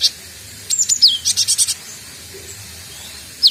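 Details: Cinereous tit, a young bird learning to sing, gives a falling whistled slur, then a rapid run of five clipped high notes. A lone thin note follows after a pause.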